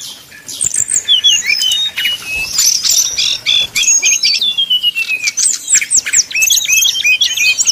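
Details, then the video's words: Brown-chested jungle flycatcher in 'nyuling' song meant to heat up rival birds: varied high whistles, a long gliding descending note, then quick choppy hooked phrases repeated in bursts. "srdc nyuling bikin lawan jadi panas penuh emosi pancingan srdc tercepat bikin srdc cepat ngeplong"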